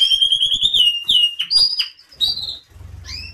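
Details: Canary song meant to stimulate other canaries to sing: clear high whistled notes and slurred downward glides, broken by short pauses, with soft low rattling noise toward the end.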